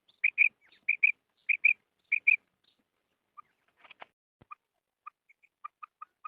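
Female common quail giving four quick pairs of high, sharp notes, then a run of fainter, lower single pips spaced about half a second apart.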